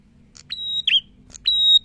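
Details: Prinia singing actively: a long, steady, high whistled note followed by a short, lower, slurred twangy note, the phrase given twice in quick succession against a quiet background.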